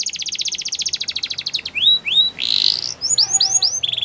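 A Belgian canary sings a fast, high rattling trill, then a run of rising whistled slurs and a brief buzzy burst.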